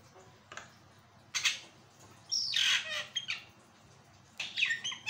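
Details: Javan myna song used to tutor and prompt other birds: loud, harsh, scratchy squawks in separate bursts, one long grating rasp with a whistled edge, and quieter gaps between.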